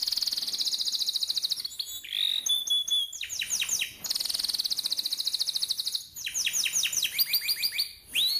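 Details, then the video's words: Young canaries are taught with this fiery rolling canary song. A long dense high trill is followed by a sliding whistle and sweeping downward notes, then another sustained trill and quick rising chips. "Burung KENARI GACOR NGEROLL||PANCINGAN KENARI PAUD MUDA HUTAN CEPAT BUNYI NEMBAK"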